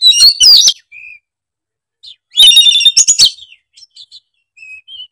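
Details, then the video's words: Oriental magpie-robin, called kacer, in emotional full song releasing its stock of learned phrases: dense whistled and chattering bursts, a short pure whistle, then a second loud tangle of notes and sparse quiet chips. "Kicauan kacer gacor emosi bongkar isian"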